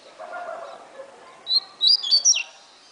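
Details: Double-collared seedeater (coleira) singing in the atilharia style, said to deliver 16 to 28 songs per minute: after a quiet start, a quick burst of sharp, high chirped notes with a falling slur near the end, over faint background hum.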